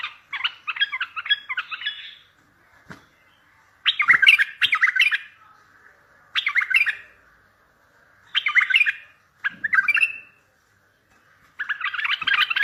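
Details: Bulbul song meant to draw answers from distant bulbuls for trapping: repeated bursts of bubbly, chattering warbles broken by brief pauses and a few sharp clicks.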